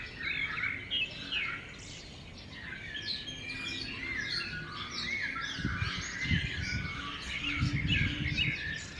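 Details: Birds in a natural outdoor setting, several high chirps and twittering phrases overlapping, quick and irregular, with low rumbling background noise and soft thumps.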